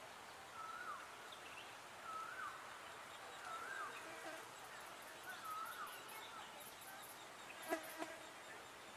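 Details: Indian grey hornbill giving short squealing whistles with a slurred lift, repeated about every one to two seconds, over steady outdoor hiss with faint high ticking and a brief clatter near the end.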